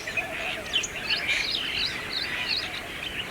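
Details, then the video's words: Brahminy starling (myna) singing in India, around Aurangabad: continuous busy chatter of squeaky chirps and short upslurred whistles running through the whole stretch, with steady outdoor background noise. "Unique Hair Style singing bird in India Asian country - Brahminy starling (Myna)"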